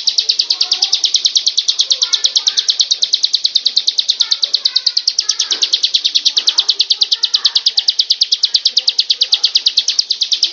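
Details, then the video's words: Bar-winged prinia pouring out an extended, metronome-like stream of shrill high notes, about eight per second, scarcely varying for over ten seconds, with faint lower warbles from other birds behind. "SUARA BURUNG CIBLEK"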